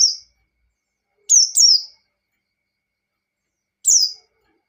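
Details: Ngalas-style white-eye song meant to provoke a rival: three short high bursts of falling, slurred whistles, one a double phrase, separated by long silent gaps.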